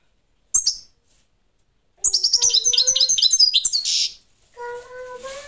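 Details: Parva goldfinch gives a two-second burst of quick, bright twittering with a harsh buzzy note at the end, followed by a soft lower tonal sound.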